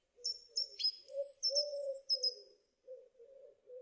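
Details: Song thrush singing: thin, high whistled notes in quick succession over a steady, lower wavering tone that runs through most of the recording.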